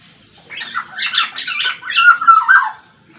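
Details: Black-naped oriole, Sumbawa type, known for many song variations; a rapid run of about eight harsh, scratchy notes ending in fluty whistled slurs dipping downward.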